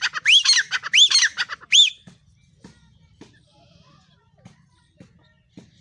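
A female black francolin gives four harsh, rising-and-falling squawks in quick succession, then only faint ticking sounds follow.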